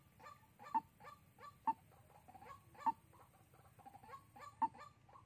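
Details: Trapping lure of a white-breasted waterhen, Soc Trang, Vietnam, February 2021: uneven series of harsh repeated notes, punctuated by four abrupt loud clicks.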